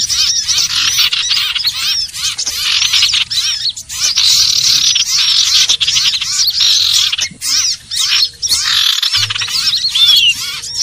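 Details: Common iora (sirtu/cipoh) calling, a recording used to lure the birds for trapping: rapid streams of high, sharp chirps and slurred whistles, briefly dropping off near the end before resuming.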